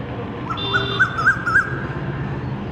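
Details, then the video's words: Asian koel calling in spring around Salt Lake, where its call is heard constantly though the bird is hard to see; short whistled notes repeat about every third of a second over a steady low traffic hum. "সল্টলেকের আনাচে কানাচে এখন কোকিলের ডাক"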